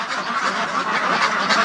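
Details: Free-range domestic ducks shut in a barn during extreme cold, about -28.6°C outside, upset and very loud because they want outside; a dense, continuous din of many overlapping harsh quacks with no pause.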